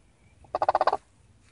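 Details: Sandhill cranes, a family group visiting a yard, give a brief, loud, rolling rattle. It is made of about six rapid, evenly spaced pulses lasting half a second, against a quiet outdoor background.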